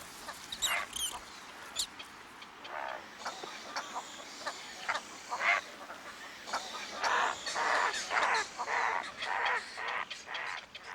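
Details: A female limpkin in a swamp calling to her brood of five young: harsh, wailing, screechy calls in uneven bursts over a faint background hiss.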